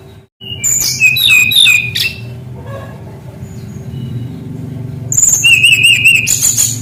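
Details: Brown-chested jungle flycatcher kept as a tutor bird, singing busily with rolling phrases. Bright high whistles and quick wavering trills come in two bursts separated by a quieter stretch, with a low steady hum throughout.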